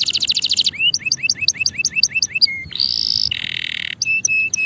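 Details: A male canary sings a varied sequence: fast stacked chirps, a run of upward-flicked whistles, a sustained rising trill, a lower buzzy roll and closing clipped notes, on a quiet background.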